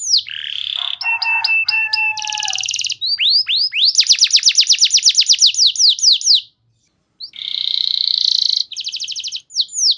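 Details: Clear-voiced canary song used to lure other canaries into singing: a buzzy note, quick ticking, a harsh rattle, then a fast series of descending slurs, a short silence, and a buzzy roll ending in a quick trill.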